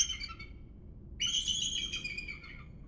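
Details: Bald eagles heard on a morning walk: a brief high chittering phrase, a pause, then a longer strained, whistled series of squealing notes layered in bright harmonics, with soft low background noise.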